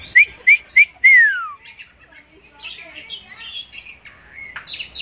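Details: Tame Oriental magpie-robin, described as able to win as a champion songbird, gives three short rising whistled notes, then a long slurred whistle falling in pitch, followed by softer, varied chattering and warbled phrases.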